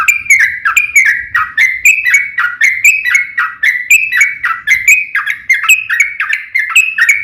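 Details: Yellow-vented bulbul giving its fighting, long rolling song to provoke other birds: an even, continuous run of loud slurred whistles rising and falling, about three notes a second throughout.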